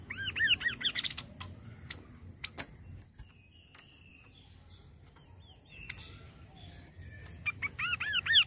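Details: Kaso kaso bird, played to stimulate the bird to sing: fast runs of arched, looping whistled notes open and close the recording, with scattered sharp ticks and a faint low hum in between.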